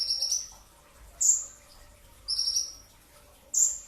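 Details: A brown-throated sunbird sings dense pre-dawn training song. Short buzzy trills alternate with sharp, very high falling notes, each roughly a second apart.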